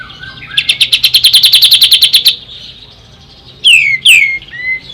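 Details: Ashy tailorbird: a steady rapid train of sharp high chips, then after a pause two loud downslurred whistles and a softer slurred note.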